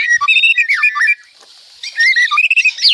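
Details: Loud, lively White-rumped shama song, full of varied phrases: bright whistled notes and slurred sweeps, a short pause near the middle, then more rising and falling whistles.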